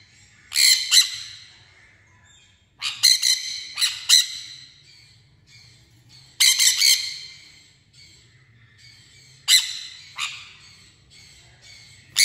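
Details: A sun conure, labelled Guaruba guarouba, gives loud, harsh screeches in short bursts, with quiet gaps between them.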